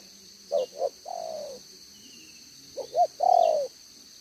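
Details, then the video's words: Spotted dove decoy with a two-strand neck collar, singing the 'đồng gáy 1 hậu' coo, 11/6/2023: two quick short coos, then a long falling coo, twice with a pause between; faint high chirps in the background. "ĐỒNG gáy 1 Hậu"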